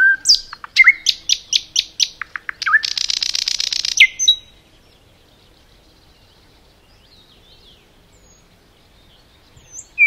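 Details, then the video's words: Forest common nightingale song: a run of sharp repeated notes and whistles, then a harsh, even buzzing rattle lasting about a second, followed by near silence and a single whistle at the end. "Nightingale song"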